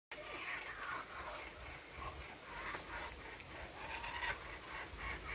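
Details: Young laughing kookaburras, fed by their mothers who come when called, give harsh, rasping squawks in ragged bursts, a rough attempt at the adult laugh, with a person's voice coaxing nearby.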